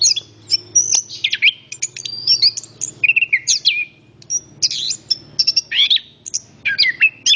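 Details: Lively song of the orange-headed thrush, or anis kembang: varied shrill whistles, downward slurs and rattling notes tumbling rapidly, accompanied by a steady low background hum.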